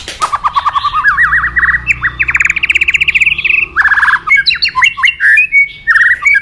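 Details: White-rumped shama singing for therapy training beside a fast-flowing river: rapid runs of repeated rising chirps climbing in pitch, a burst of harsh rattling notes, then varied whistled phrases and sharp upward notes, with a low rushing water background.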